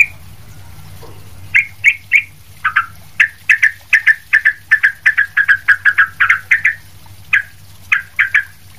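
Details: Sooty-headed bulbul in lively full song, used as a tutor for other bulbuls: a fast run of about twenty short, bright chirpy notes, some doubled, rising and falling between middle and high pitch, with a low steady hum beneath.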